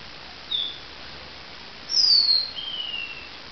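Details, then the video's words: Dawn song of a lavender waxbill, 2016: one faint high note, a pause, then a piercing thin whistle falling in pitch and a quieter lower slur dropping away, against low steady hiss. "lavender finch song"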